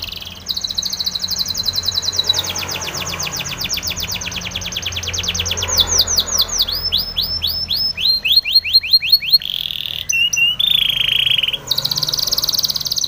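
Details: Spanish Timbrado canary training song: a varied run of rapid high trills, sweeping down-slurred notes repeated in quick series, and sharp clicking phrases, loud and clear over a faint low hum.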